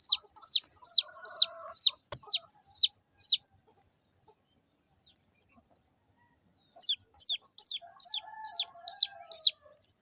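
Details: Small chicks of a chicken chirping: a quick series of high, falling peeps, then a few seconds of near silence, then the shrill, evenly spaced peeping starts again. A single sharp click falls early on.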